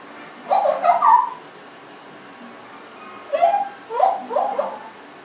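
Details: Pet Congo African grey parrot, aged 1.5 years, making voice-like vocal sounds indoors: a cluster of three short, nasal, wavering notes, a pause, then four more in a quick run.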